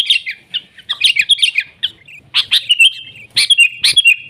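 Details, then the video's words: Sooty-headed bulbul singing in the wild, lively 'gacor' style: a rapid jumble of bubbly chirps, a short pause, then loud sharp notes ending in a sustained warbled phrase. "Suara Burung Kutilang Gacor ASLI ALAM lanjut NGGARUDA"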